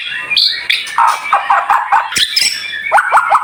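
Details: White-rumped shama song, dense and high-pitched, from a training recording made to get shamas singing: quick chopped notes, short whistled slurs and sharp upward flicks in fast succession.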